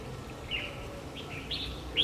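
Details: Red-whiskered bulbul decoy bird singing in a fight to lure wild bulbuls into a trap, recorded on 3 February 2020 in Vietnam; short warbled chirps around the upper-middle pitch range, scattered over faint background noise.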